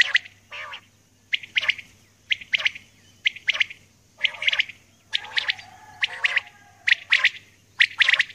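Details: Steady series of harsh paired call notes from a female common quail at dawn, repeating a little over once a second for eight seconds, with a soft lower tone underneath in places.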